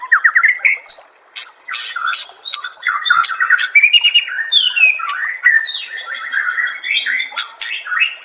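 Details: White-rumped shama (murai batu) song used as a master recording for training caged birds: a rapid, varied run of whistled phrases, quick rattling trills and sharp high clicks, shifting pitch constantly across eight seconds with barely a pause.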